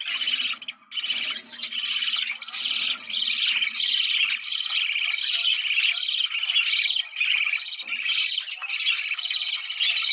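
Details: Budgerigar mating chatter for stimulating breeding: loud, continuous, thick high warbling from many birds, steady throughout with brief dips in the first seconds.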